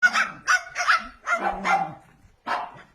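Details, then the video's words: A tame pet cockatoo imitates a dog with five hoarse, bark-like bursts about every half second, then after a short pause gives one more bark. "Tamed barking cokatoo parrot. cute copying dog barks"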